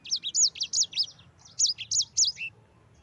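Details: Yellow-fronted canary singing 'ngerol' song for use as a training master. Seven or eight clear, high, arched whistles, delivered in two short groups.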